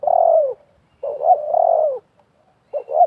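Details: Spotted dove, a wild bird and a decoy bird calling against each other during trapping: deep, burry cooing notes, one long coo, then a two-part coo, then a clipped start of another.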